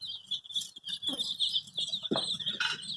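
Baby chicks peep in a dense, overlapping chorus of high, thin chirps, several every second, with soft rustling and a few low thumps beneath.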